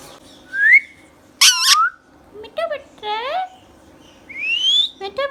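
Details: Indian ringneck parakeet, a green pet talking bird indoors, mixing rising whistles with a sharp shriek and buzzy, wavering speech-like phrases mimicking words.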